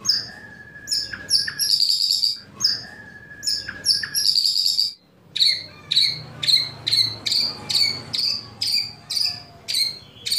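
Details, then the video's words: White-rumped shama kretekan and tembakan meant to provoke other shamas: first, twice-repeated phrases of a steady whistle with buzzy high notes, then about a dozen sharp whistled notes at a quick, even pace. "Kretekan Dan Tembakan Murai Batu Memancing Emosi Murai Langsung Gacor"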